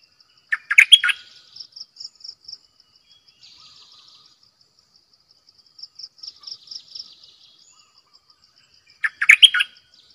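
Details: Bulbul kept as a decoy bird, singing two brief bubbling, warbled phrases about eight seconds apart. A continuous high pulsed ticking and faint buzzy notes fill the gaps.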